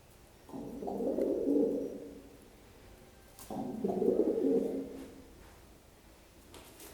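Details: A pet pigeon coos as he hops up stairs, and the faster he jumps the faster he coos: two low, throaty coos, each swelling and fading over about a second and a half, roughly three seconds apart, in a quiet room.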